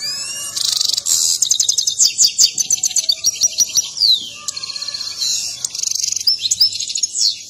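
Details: Mating song of an excited European goldfinch accompanied by a dance. A dense, unbroken high twitter of rapid liquid trills, quick chirps and falling slurs, with buzzy rattles toward the end.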